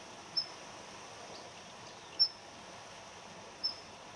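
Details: Daurian redstart, a winter visitor to residential gardens, giving its call note (male, then female shown): three thin, very high, sharp whistled notes about one and a half seconds apart, over a steady background hiss.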